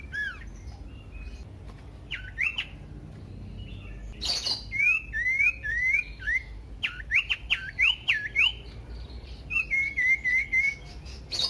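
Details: Common iora song meant to stir other ioras to sing: a varied series of sharp rising whistles, rapid slurred notes and a short trill-like run near the end.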